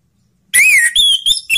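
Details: Orange-headed thrush song for drawing silent thrushes into singing: after a brief quiet, a loud rising-falling whistle followed by steady, clear high whistled notes and a short final phrase.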